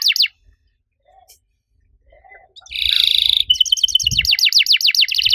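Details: Canary singing the active riwik cuit cuit style, a long-burst song used to make other canaries sing. A brief high chirp, near silence, then a dense buzzy note and a fast series of high downswept chirps.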